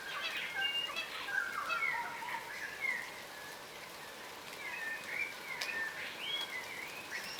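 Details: Yellow rosellas, a subspecies of crimson rosella, wary while feeding on the ground. Lively bursts of whistled chatter at the start and end surround a quieter middle.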